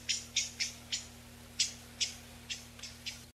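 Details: Noise-reduced calls of Eyebrowed thrush, a migrant of mountain areas, used to call in a flock: about ten short, high, thin notes spaced roughly every third of a second, quieter overall, with a low electrical hum underneath.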